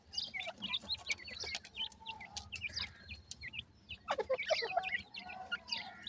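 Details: Partridge chicks keep up a lively stream of short, bright, v-shaped chirps, several birds calling over one another, a louder cluster near the end.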